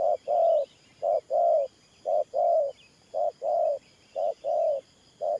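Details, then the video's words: Regular 'thổ pha nước' coo series from a spotted dove decoy for trapping: short clipped note then longer warm coo, repeated about every second for five pairs, faint high chirps behind. "Thổ Pha Nước Gù AE Tự Thẩm.Clip288_ Nết Gù coi sướng mắt"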